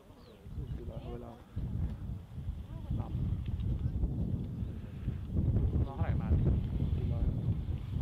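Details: Red-crowned cranes at their roost give scattered short, harmonic calls near the start, middle and end, set against a heavy, continuous low rumble.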